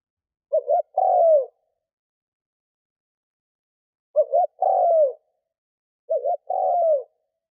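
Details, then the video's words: Spotted dove used as a lure for wild doves, cooing in three phrases, the first followed by a long silence, the next two closer together. Each phrase is a brief stammered note and then a falling coo. "Tiếng cu mồi thúc gù gáy kích bổi cực nhạy / Tiếng chim cu gáy kích bổi nhanh nổi mới"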